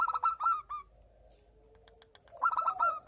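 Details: Breeding-condition local zebra dove answering a female: a rapid burst of high, clipped coo notes opens, a quiet pause with a soft low drawn tone follows, then another bubbling run of notes returns.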